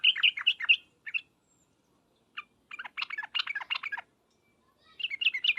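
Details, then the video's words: Bulbul chatter, the sooty-headed bulbul's 'ngriwek uplik uplik' lure call: short clusters of quick, scratchy notes broken by clear silences, ending in another fast flurry. "suara panggilan trucukan dan ngriwek uplik uplik ini menjadikan burung trucuk gacor nyaut seketika"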